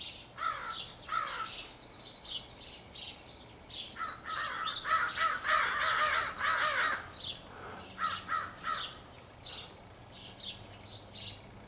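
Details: Dense chorus of many crows from an extended group, thought to be choosing mates, 4 April 2015: overlapping harsh caws build to a loud, continuous clamor midway, then thin out into scattered calls.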